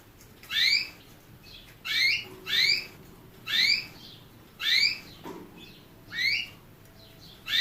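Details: Singing canary giving a steady series of six sharp rising whistles, each about a third of a second long and repeated roughly every 0.8 seconds, with a faint low thump midway and soft background hiss.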